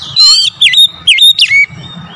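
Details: Oriental magpie-robin singing in the morning as a lure to stir other magpie-robins; loud, sharp whistled notes with quick downward-then-rising slurs in three bursts, faint chattering of other birds behind.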